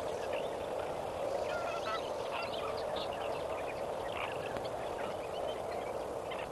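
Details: Sunrise gathering of lesser flamingos at Kamfers Dam on 18 May 2024: a thick, continuous babble of goose-like honks and gabbling notes from many birds at once, some higher short calls scattered through.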